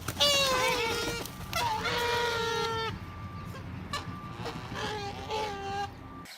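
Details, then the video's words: An aggressive or protective goose, warning the listener to back off, gives loud, nasal honks in quick succession, each drawn out and sagging slightly in pitch, over a low outdoor rumble. "when a goose gets aggressive or protective here is what it sounds like"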